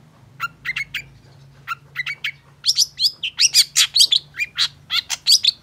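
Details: Long-tailed shrike singing briskly, played to get silent shrikes singing: a few spaced mid-high notes, then a denser run of loud, scratchy and whistled high notes in quick succession.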